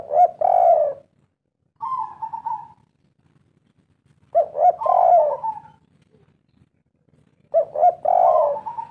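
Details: Spotted dove of the local kuk 3 song style cooing in repeated phrases about three seconds apart: quick short notes, a long hoarse coo and a level rolling trill, deep and mellow.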